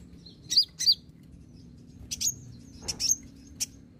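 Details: Olive-backed sunbird, known locally as kolibri ninja, calling as a lure to prompt singing: two loud high sweeping chirps, then scattered sharp thin notes, over a faint low rumble.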